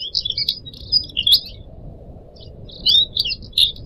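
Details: Caged Pied Triller, one of four kept birds, recorded as a training track for other birds, with trickling water in the background; bright chirped and whistled phrases in short bursts, some notes rising and slurred, with pauses between groups.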